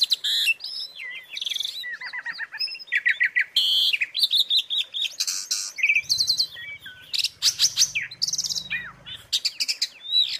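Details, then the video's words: An Asian pied starling sings a busy, varied song of clear whistles, rising slurs and harsh chattering bursts, barely pausing, with a faint low hum midway; the recording is meant as tutoring song for captive birds. "suara isian untuk masteran jalak suren"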